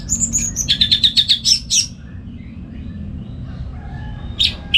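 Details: In the morning in Singaraja, North Bali, a home-kept orange-headed thrush (anis merah) sings ngeplong style as a master for other birds: high whistles, then a quick string of about ten repeated notes, quiet, and two final notes.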